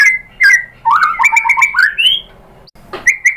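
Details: White-rumped shama (murai batu) singing in a lure recording meant to draw out another bird's song: rich warbled whistles that rise and fall, a brief pause, then a sharp note and short whistles.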